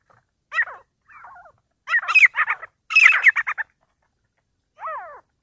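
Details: Partridges in a fight, giving loud rasping calls, a cluster of quick staccato notes, a brief pause, then a final sweeping harmonic call, with clear silence between bursts.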